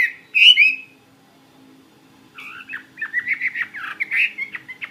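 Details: Caged Chinese hwamei, a fighting-type bird (họa mi chiến), gives a loud warbled, slurred whistle, pauses briefly, then a run of quick, varied chirping notes with steady low background hum.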